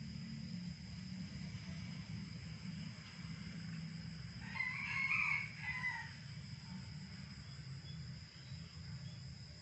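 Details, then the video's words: A red junglefowl crowing in the morning gives one brief, hoarse crow that cuts off abruptly, set against a steady high insect whine and a low background rumble. "suara berkokok ayam hutan di pagi hari terdengar riuh"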